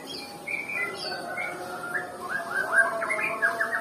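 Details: White-rumped shama from Nias, noted as reluctant to sing: a few high slurred whistles, followed by a faster burst of short rising and falling notes at a lower pitch.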